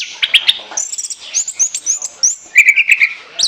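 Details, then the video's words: Orange-headed thrush song for luring, a lively string of clear high whistled notes, quick slurred phrases repeated about every quarter second, then a loud fluty burst. "ANIS KEMBANG NGOCEH NGEPLOOONG"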